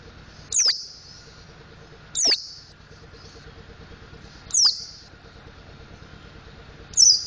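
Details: Mountain white-eye learning to sing, practising ngriwik and ngeplong styles: four separate high, sharp descending notes spaced about two seconds apart over a faint steady background hum.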